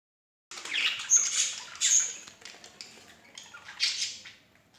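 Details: A pair of pet budgerigars giving short, harsh, high chattering squawks and chirps in bursts, with a louder scratchy squawk near the start and another near the end.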